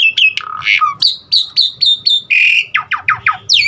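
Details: Asian pied starling singing varied imitated fill-in phrases to stimulate other starlings: a low whistle, then a run of short descending high notes, a buzzy squeak and several quick downward-slurred whistles.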